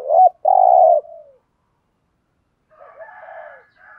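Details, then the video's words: Decoy spotted dove used to provoke wild doves. One phrase begins with a short wavering note and continues as a long steady low coo, followed by a pause and faint, softer murmuring. "chim cu gáy mồi bài bản thúc gù kích bổi xiêng gáy theo cả ngày"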